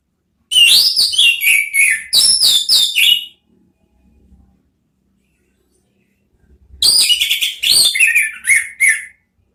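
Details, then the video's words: Two bursts of orange-headed thrush song in ngeriwik style, played to provoke ngeplong sounds: fast, loud strings of high descending whistles, each lasting roughly three seconds, separated by a quiet gap. "Siulan ANIS MERAH ampuh memancing BUNYI NGEPLONG ¦TERAPI PANCINGAN ¦ KICAUAN NGERIWIK"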